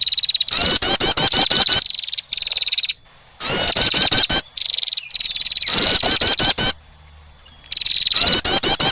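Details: A female wren calling to attract delivers loud, rapid, high-pitched trills in bursts of about a second, with brief pauses and a steady thin whistle between bursts.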